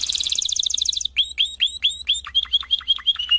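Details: Canary song from a 2016 singing CD: a second of rapid high buzzy trill, then a steady series of bright whistled notes, each sweeping sharply down, repeated about every quarter second.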